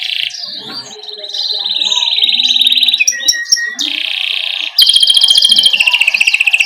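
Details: Canary rolling ngerol song, a tutor recording for young birds: a sustained warbling trill over quieter background calls, a few sharp clicks, then a loud, fast, buzzy rattling trill.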